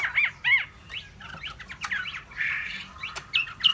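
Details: Hwamei singing a rapid, varied run of looping, slurred notes with chattering phrases and harsh squawky bursts, broken by a few sharp clicks.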